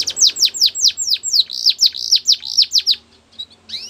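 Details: Canary training song: a series of strong hooked downslurred whistles at a lively even pace, a brief pause, then a few softer rising notes.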